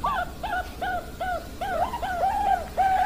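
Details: Perkutut Bangkok zebra dove, 16 October 2023: soft cooing notes, each a brief rising-then-falling hoot, repeated at about half-second intervals with some overlapping coos toward the end, over low steady hum.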